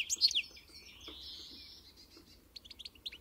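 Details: European goldfinch, pintassilgo encarte song: a brief burst of bright high twittering notes, then a long, thin, even whistle, and a few soft scattered chips near the end.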